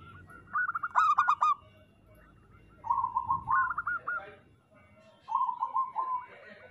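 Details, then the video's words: Local zebra doves giving three separated phrases of soft, rapid, bubbling coos, the first louder and sharper, over a faint background hiss. "Perkutut lokal gacor Suara Paling Banyak Dicari"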